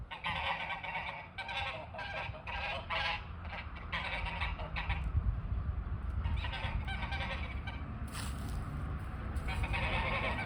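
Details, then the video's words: Snow geese calling near a front porch: harsh, nasal honks in rapid irregular bursts from many birds at once, overlapping throughout, over a steady low rumble of background noise. "Snow Geese Making Noise in the Front Porch"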